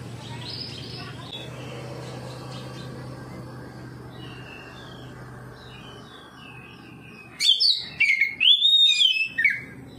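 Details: Oriental magpie-robin in full ngeplong song, answering another magpie-robin and unloading its repertoire, used as bait for silent birds: after several seconds of murmuring background noise, loud clear whistled phrases burst out, rising and falling, with sharp high notes.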